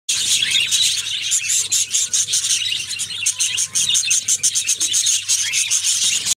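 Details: Budgerigars, including a clutch of growing chicks, chatter in dense, high-pitched chirps and squeaks that overlap without pause.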